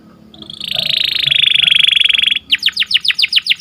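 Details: Canary singing in the morning, a long even buzzy trill lasting about two seconds that breaks into a rhythmic series of loud downslurred whistles, roughly four per second.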